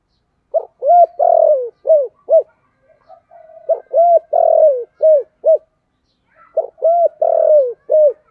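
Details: Spotted dove singing in the 'giọng thổ cục đinh' voice style: three phrases of low, hollow coos, each made of short arched notes around one longer, drawn-out cooing note that slides downward, separated by pauses, with faint softer murmurs.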